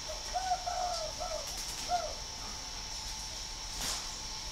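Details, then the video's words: Spotted dove, a fine singing bird from northern Vietnam bred in captivity, producing a run of gentle hollow coos followed by one more coo after a short gap, then quiet with light background hiss. "chim cu gáy hay 88 miền bắc"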